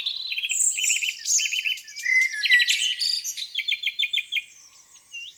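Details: Several birds sing on a spring morning at a lake, with repeated three-note chirp groups, slurred whistles, a loud warbling burst, then a run of evenly spaced sharp notes.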